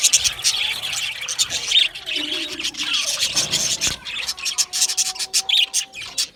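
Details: A group of budgerigars chattering: dense, scratchy high chirps with occasional lower warbles and one long, steady whistled note near the end.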